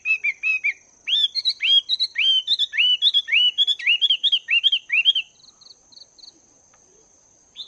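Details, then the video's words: In morning voice training, a caged wild-caught Chinese hwamei of two months sings a fast run of loud rising-and-falling whistled phrases, each bright and slurred, before falling quiet except for soft high ticks. "Chim Hoạ Mi Mộc VIP 2 Tháng Lồng Luyện Giọng"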